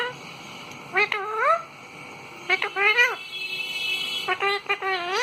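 A parrot gives three bouts of rich, voice-like calls that swoop up and down in pitch, each about half a second long, against a quiet indoor hum.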